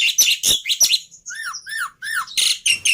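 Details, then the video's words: Black-winged myna in a tutor and lure recording of easily copied song phrases: harsh scratchy notes, then three clear arched whistles dropping in pitch, followed by more rasping bursts. "Pancingan Plus Masteran Burung Jalak Putih full Isian Mudah Di Tiru"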